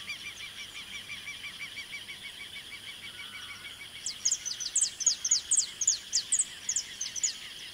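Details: Saffron finch in the Pantanal of Mato Grosso, Brazil. About four seconds of steady high hum, then a burst of bright, high-pitched chirped notes, roughly two or three per second, each sharply slurred downward.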